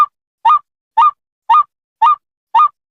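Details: A white-breasted waterhen gives a steady series of identical honking calls, each a short croak that bends upward, spaced about half a second apart. Six calls in quick succession against a silent background.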